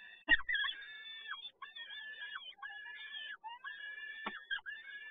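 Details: Peregrine falcon at the PGE Toruń nest in Poland, 7 May 2022, as the male brings prey; a continuous series of harsh, rasping wails with one loud knock near the start.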